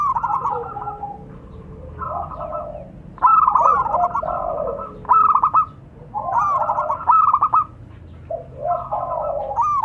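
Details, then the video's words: Local zebra doves, male and female, calling and answering each other: phrases of rapid stuttering notes into drawn-out trilled coos, several birds overlapping, pauses between bouts. "Suara perkutut lokal saling sahut."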